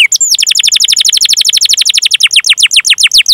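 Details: Canary rolling song used as a lure for young or non-singing canaries, a steady run of rapid descending whistled notes, about ten per second, slowing slightly toward the end.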